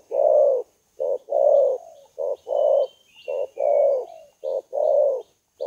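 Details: Spotted dove lure call: low, hoarse cooing in short-long pairs, a brief note then a longer drawn coo, repeated roughly every second, with a faint thin whine high above.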